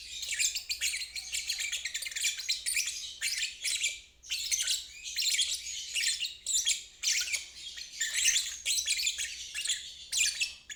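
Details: A lovebird sings ngeriwik as therapy for stalled birds and young learners; repeated high, grating chatter phrases of one to two seconds with short pauses throughout, plus a faint steady hum.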